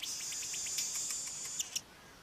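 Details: A male Cape Weaver holds one thin, high, sizzling whine for nearly two seconds, with faint ticks and two sharp clicks at the end, as part of his long, wound-up song.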